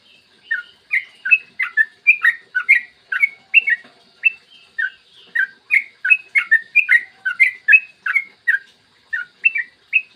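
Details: A yellow-vented bulbul sings a long rapid song in the morning, played to get other bulbuls singing: crisp bubbling whistles in a continuous chattering series, each note sliding up or down, clear and unaccompanied.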